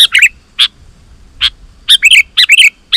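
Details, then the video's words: Sooty-headed bulbul in vigorous song meant to make other bulbuls respond: scattered single sharp chirps and short bubbly phrases of two or three notes, irregularly spaced across three seconds. "Suara Burung KUTILANG GACOR"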